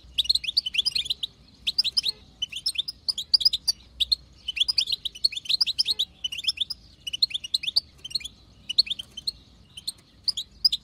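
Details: Chatter of a wild-caught female European goldfinch, meant to make a male sing: continuous high, liquid twittering in repeated clusters roughly every second, lively and unbroken throughout, faint low background hum.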